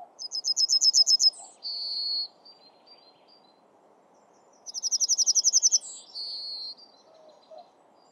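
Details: Song of a yellowhammer in Sweden: a fast run of repeated high, dry notes followed by a long flat buzzy note, the phrase given twice with a pause between, faint rustling noise beneath.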